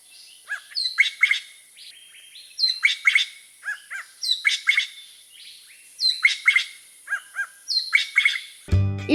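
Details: Greater Racket-tailed Drongo in Sri Lanka, a bird of woodland and forest, giving a loud, varied phrase of clear whistles and metallic notes, repeated about every two seconds, with a burst of music at the end.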